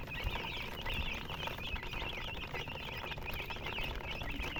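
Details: Many chicks peep at once, the high chirps slightly warbled and evenly dense, with a persistent low background rumble and a few faint taps.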